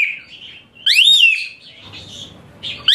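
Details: High, shrill Asian pied starling training song: a soft warble leads into one loud arched whistle that rises steeply and falls, followed by quieter chatter and the start of another sharp upsweep.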